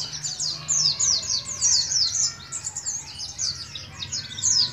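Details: A young Oriental white-eye of Moga, Central Java, learning the ngalas ngeroll song, delivers a continuous stream of high, quick, overlapping downslurred chirps, with a faint low hum beneath.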